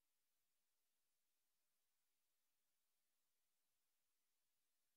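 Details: Near silence with only a faint, even background hiss.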